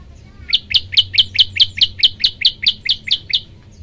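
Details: Olive-backed tailorbird (prenjak lumut) song used to set other birds singing: a rapid run of about fourteen sharp, high chipping notes, evenly spaced at roughly four per second, over faint low background hum.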